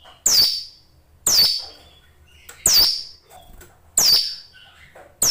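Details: Hill Prinia kept in a cage, singing hard: loud, high, downslurred notes about every 1.3 seconds, five in all, with soft chips between them.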